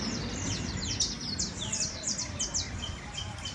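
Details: Criollo canary singing a rapid series of high, steeply descending whistled sweeps and chirps, about two or three per second, over a low background rumble.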